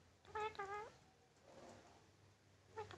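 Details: Tame Indian ringneck parakeet, a green-necked pet parrot, imitating a cat: one soft, drawn-out meow-like call with a rich harmonic tone, two quick pulses then a short trailing note, over faint background hiss.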